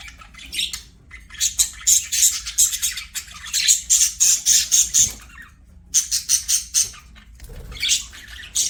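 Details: Budgerigars singing while playing: bursts of high, scratchy chattering and squeaky warble notes in quick runs, separated by brief pauses.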